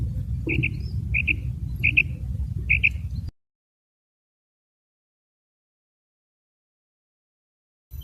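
Female common quail giving four short, paired high chirps about one every 0.7 seconds over low rumbling background noise, then silence.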